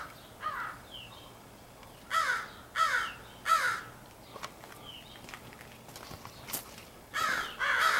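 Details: Crows from a big extended family group, 4 April 2015, perhaps picking mates: spaced harsh caws in short bursts, a run of three evenly repeated near the middle, then a pair at the end, with quiet gaps between.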